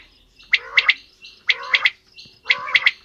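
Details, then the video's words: Quail calling, male and female sounds: three bursts, each a rising, buzzy note followed by two sharp, clicking whistles, roughly one per second. "Female Batair Calling | Male Batair Sounds | Mix Calling| Batair Ki Awaz | Batair Ki lambi Awazay|"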